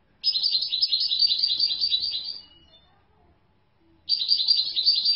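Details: A European goldfinch delivers a long, rapid, rattling high trill of about two seconds, goes silent for over a second, then starts another trill.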